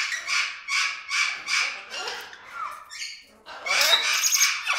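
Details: Single Venezuelan amazon parrot perched about 10 meters away, contented whistling: a run of rhythmic rasping squawks, then a short varied mix of squeaks and a louder, denser burst of harsh calling at the end.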